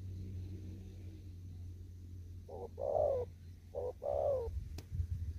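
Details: Spotted dove still living in an upland field in Kon Tum, 'thúc gù' cooing: after quiet, two muffled paired coos, short note then longer wavering one, over a low rumbling background and one click.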